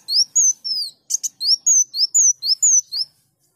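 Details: Sunbird song used as a training recording for songbirds: fast sequence of thin, high slurred whistles, nearly four per second, with one short double rasping chip early on.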